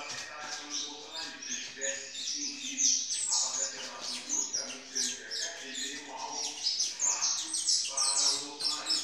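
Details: Captive saffron finches of an intense yellow color at a licensed breeder, recorded 7 September 2019: dense overlapping high chirps and twittering phrases from several birds, quick notes about twice a second, with people's voices murmuring beneath.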